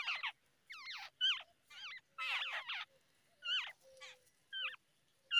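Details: Babbler chicks begging while being fed by an adult in the early morning: harsh, wavering, squeaky calls in quick bursts about every half second, several voices overlapping.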